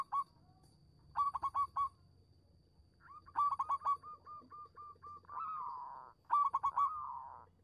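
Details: Singing local Zebra Dove, played as a lure to make other doves answer: repeated clusters of fast, clipped cooing notes, a run of evenly spaced soft hooked coos, and a longer drawn-out descending rolling coo.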